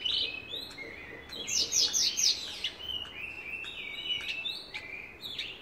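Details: Javan bush lark, locally called branjangan, singing in gacor style: a varied run of high whistled notes and short buzzy sweeps, with a burst of rapid repeated trill notes in the middle. Faint background hiss.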